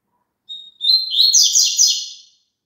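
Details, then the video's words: Double-collared seedeater song meant to get a caged bird singing along: a brief thin whistled note, a short pause, then a rapid run of high warbled, buzzy twitters lasting about a second and a half. "COLOCA ESSE CANTO PARA SEU PAPACAPIM CANTAR JUNTO"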